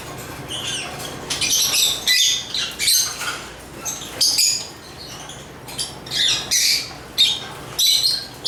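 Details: African lovebirds chirping and singing: harsh, high-pitched chirps and squeaks in short bursts, about one every half second to second, with brief quiet gaps and a faint low hum beneath.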